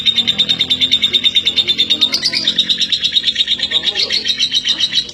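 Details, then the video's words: Female lovebird from East Lampung, Indonesia, a caged bird prized for singing at length: continuous high, fast chattering trill with rhythmic pulses a few times per second, slightly shifting pitch midway, with a faint low hum beneath. "Lovebird betina durasi"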